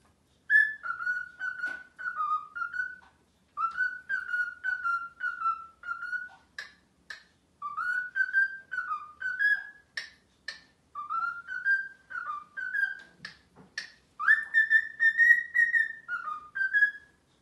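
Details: A male cockatiel whistles a courting song of warbling phrases that rise and dip, repeated with brief pauses, directed at a female who does not return his interest.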